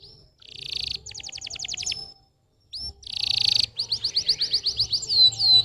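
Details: Canary singing, played to stir young or lazy canaries into song: buzzy trilled bursts and a rapid chattering run, a brief pause, then rich trills and upward-curving whistles.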